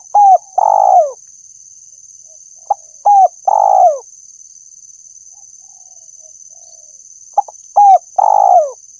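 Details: Spotted dove call played as a bird-trapping lure: three repeated phrases of quick short hoots leading into a longer vibrating coo that drops at the end, spaced about four seconds apart, with a faint steady electronic whine.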